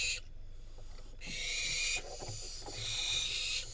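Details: Wild barn owl fledgling in Israel, delivered a rodent by its parents; a brief hiss opens, then two long, rasping broadband screeches with soft scuffling and clicking between them.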